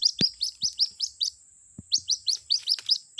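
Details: Young white-breasted waterhen calling its mother as a lure: loud rising peeps in quick succession, a brief pause, then more peeps, with a couple of low knocks and a faint steady whine.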